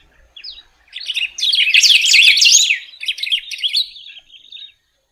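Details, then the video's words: A golden-billed saltator, called pepitero or picahueso, sings a short lead-in note, then a rich, rapid, tumbling warble peaking in loudness midway and fading into softer twitters. "Pepitero/Picahueso Canto - Golden-billed Saltator - Saltator Aurantiirostris"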